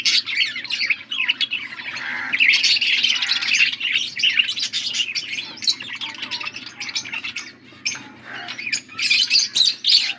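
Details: Blue budgerigars feeding one another, recorded August 13, 2024; a long continuous warbling chatter of buzzy chirps and squawks, briefly dipping quieter before another burst of sharp notes.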